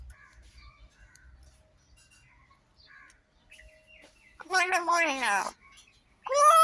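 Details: Talking myna giving a loud, wavering, harmonic voice-like phrase after a few faint earlier sounds, then a second strong harmonic burst starting at the very end.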